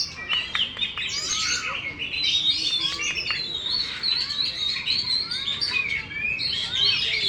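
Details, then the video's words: Oriental magpie-robin, a caged competition champion with its tail fully spread, delivers a long varied song. Sharp downward whistles alternate with warbled phrases and buzzy chatter in a continuous, energetic stream. "KACER BUKA EKOR FULL DAN JUARA"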